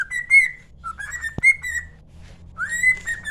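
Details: Pet cockatiel singing like its owner: clear whistled phrases, rising then level, with rich harmonics, a short sharp click midway and a quiet hum underneath.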